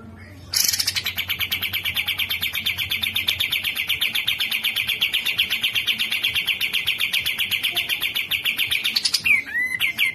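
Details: Grey-cheeked bulbul (Alophoixus bres) song: a fast, harsh, buzzy chatter of rapidly repeated high notes held without a break for about eight seconds over a faint low hum.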